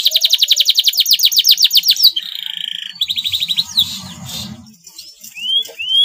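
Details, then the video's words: Male canary with yellow plumage, singing hard and slightly in breeding condition: a rapid trill of high sweeping notes, then a buzzy flat phrase, a shorter trill, a spell of low rumble, and two rising whistles. "KENARI JANTAN KUNING GACOR SEDIKIT BIRAHI"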